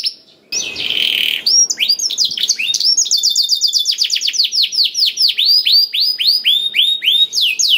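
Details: Black-throated canary song used to prompt other canaries to sing: after a brief silence, a long run of rapid high descending sweeps, repeated several times a second, with shifting trill phrases and a buzzy passage.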